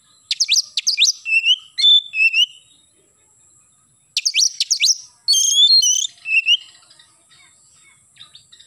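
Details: Oriental magpie-robin singing vigorously in the morning, gacor nembak style: rapid strings of sharp upswept chirps followed by lower whistled slurs, a pause, then another energetic burst with trilled notes, over a steady faint high tone.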